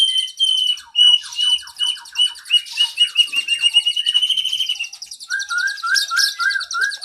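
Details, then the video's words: Kacer (oriental magpie-robin) cage-bird training recording with long fill-ins: a run of short repeated notes, then a sustained buzzy trill, ending with evenly spaced short whistled notes. "Masteran Burung kacer Gacor isian Panjang"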